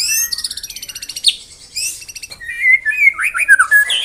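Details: White-rumped shama mimicry song for songbird contest training: quick high pulsed trill with a sharp downslur, a brief buzzy burst, then a lower, varied run of rich whistled slurs and twisting notes.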